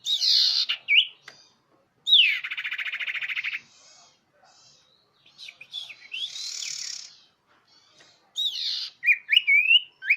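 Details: Common iora lure call, clear and loud. Harsh rasping bursts, one with a rapid trill-like texture, are followed by quick looping whistled notes.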